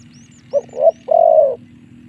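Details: Spotted dove lure phrase played to draw wild birds into fighting: a brief coo, a rising second note, then a long, steady, mellow coo, over low humming noise and faint high-pitched chirps.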